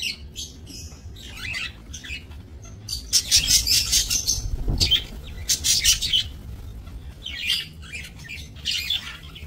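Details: Australian budgerigars bred in a small aviary, 28 November 2024; bursts of dense, scratchy chattering and chirps from several birds, louder clusters in the middle and end, faint low background hum.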